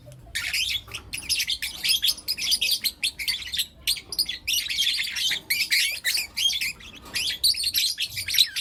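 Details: Steady high, grating chirps and twitters from four young lutino lovebirds in the morning, flowing almost without a break.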